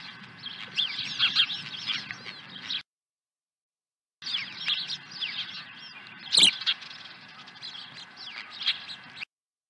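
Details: Osprey at the nest at Dunrovin Ranch on 23 April 2020, swooping in with a second fish: a dense stream of high, sharp chirping calls, broken by a short silent gap, with one louder piercing note near the end.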